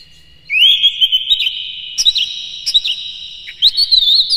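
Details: Captive Oriental magpie-robin singing in the morning, played as a lure to get other birds singing. It opens with a rising slurred whistle, then gives continuous sweet warbling broken by sharp chips.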